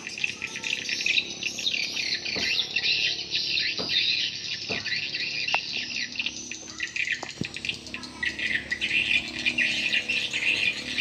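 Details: Swiftlet calls played to attract birds into swiftlet houses: a thick, high twittering chorus with buzzy rising notes, broken by several brief clicking taps.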